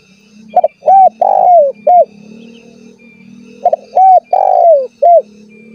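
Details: Lure call of a vigorously calling spotted dove aimed at rivals and wild doves: two identical four-part phrases, double note, coo, drawn-out falling coo, short coo, over a steady low hum.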